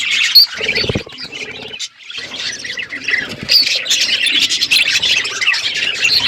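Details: Budgerigars on a winter morning keep up rapid, uneven chirping and warbled chatter, with a brief hush near two seconds before the busy high calls resume.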